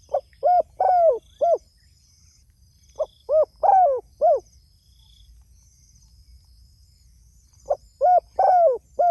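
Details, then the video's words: Spotted dove calling to others, repeating a phrase of four to five low hollow coos, the middle note longest and downslurred, given three times with pauses of about two seconds; faint steady high hum in background. "Suara Burung Tekukur Gacor Memanggil Temanya"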